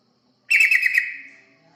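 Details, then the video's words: Yellow-vented bulbul song as a lure for other birds. A single bright, bubbly phrase with quick pulsing notes lasts about a second before fading, with quiet on either side. "Pancingan burung terucukan"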